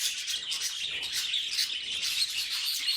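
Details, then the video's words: Pet budgerigars giving a dense, continuous chorus of high chirps and scratchy warbles that overlap without pause for three seconds. "Funniest Budgie Sounds Caught on Camera"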